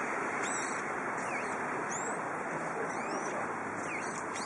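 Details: Brown-eared bulbuls on a blustery spring day give several high, sweeping whistled notes, some rising and some falling, spread irregularly through a constant wind roar.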